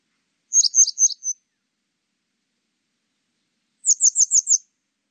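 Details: Grey wagtail (Motacilla cinerea), call.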